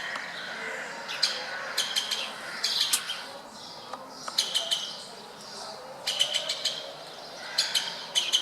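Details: Wild woodpeckers at a window in Berceni, Bucharest, Romania, giving sharp, high kik notes, single or in quick chattering bursts of three to five, spaced irregularly over a hissy background.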